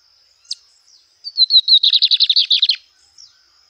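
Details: Lined seedeater singing in nature: a fast song of about a dozen rapid buzzy notes slightly descending, lasting about a second and a half, preceded by a single sharp chip, with a steady high insect-like hiss behind.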